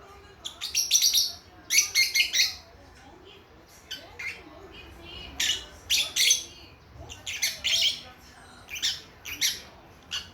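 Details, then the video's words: Young lovebird chicks a few months old keep up a lively conversation of clustered, buzzy, high-pitched chirps and squawks, in bursts of two to four calls with short pauses. "애기애기 모란앵무 노랫소리 새소리 대화~♡ lovebird Parrots singing chirping sounds"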